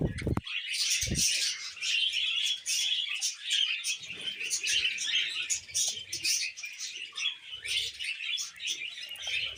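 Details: Pet budgerigar pair perched on a person's hand, singing together: continuous chattering warble of fast scratchy chirps and squeaky notes, steady throughout with brief thumps at the start.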